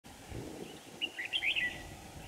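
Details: Red-whiskered bulbul decoy singing a fighting song during trapping on a windy day, 5 December 2018, in Vietnam: a short burst of bright, warbled whistled notes over steady background noise.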